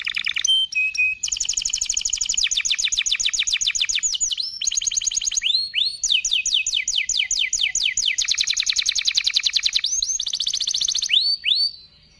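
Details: Long, powerful canary song in sustained high trills of fast repeated notes, switching between buzzy rolls and sharp descending sweeps with brief pauses between phrases; no other sounds stand out.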